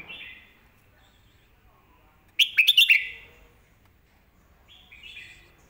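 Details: Red-whiskered bulbul master song used for teaching young birds: one bright burst of quick warbled, whistled notes in the middle, with faint softer phrases before and after.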